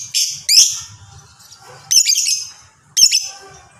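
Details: Lovebird chatter of the long 'ngekek' style: three loud, harsh, squealing bursts about a second apart, each shrill and grating, with quieter scratchy notes between them.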